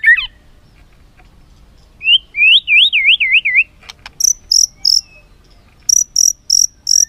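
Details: ['White-rumped shama filler song meant to get other shamas singing: a rolling wavy whistle, then spaced groups of very high sharp repeated notes, about four in each series.']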